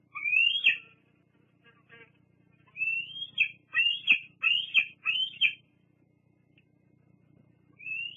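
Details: Juvenile bald eagle squeeing for food at Fraser Point on 8 August 2022; rising whistled squeals in a burst of five, with brief pauses and a few soft clicks, over a faint steady hum.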